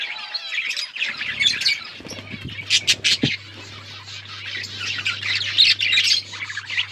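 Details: Budgerigar colony during breeding, chirping and warbling chatter with sharp bursts around three seconds, likely wing or cage knocks, and a low hum through the middle.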